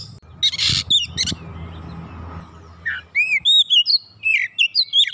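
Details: Oriental magpie-robin song for prompting a quiet bird, starting with harsh rasping bursts over a low hum, then a run of clear, high, curved whistles repeated rapidly.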